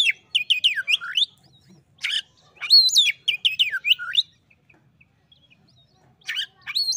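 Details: Oriental magpie-robin calling to a quiet rival: rapid runs of sweet, slurred whistles that dip and climb, delivered in two dense bursts, then a pause and a brief renewed phrase near the end.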